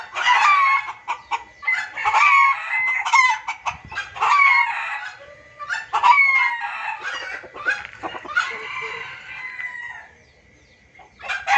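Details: Junglefowl calls for luring, noisy and insistent: irregular loud bursts of harsh cackling and squeals roughly every two seconds, one longer drawn note near the end, then near quiet.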